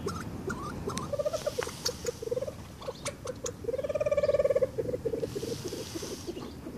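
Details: A Reeves's pheasant in an aviary, recorded by a camera trap, gives low, rapid chuckling notes in short bursts, then a longer rolling series, over steady background hiss and scattered clicks.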